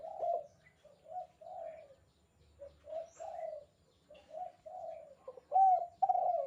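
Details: Lively spotted dove call of the kuk 2 style, meant for training other doves: a long series of soft, hollow coos, some short and clipped, others drawn out, ending in a louder, slightly rising note.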